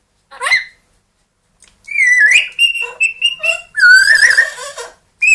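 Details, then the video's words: Household pet parrots, a grey parrot of two and an Amazon of one, giving bright whistled phrases with wavering, rising and falling notes, interspersed with short chirps and brief silences. "quelques mot et bruitage des perroquets"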